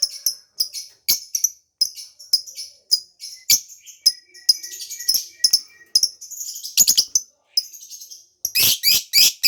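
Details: Lovebird calls for luring escaped birds and prompting mating in other lovebirds: evenly spaced sharp high chirps, a faint steady tone midway, then a loud harsh burst of rapid squeaky notes at the close.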